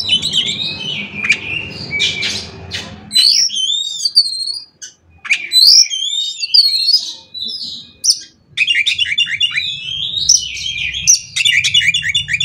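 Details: Oriental magpie-robin delivering a long 'konslet' fill song, used to get other magpie-robins singing: varied twisting whistles and buzzy notes, short silences, then rapid chattering runs near the end, with low hum at times.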